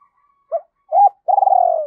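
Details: A spotted dove phrase from a lure track for teaching young captive doves to coo: two brief rising-and-falling coos, then a long, trembling, drawn-out coo that slowly falls in pitch.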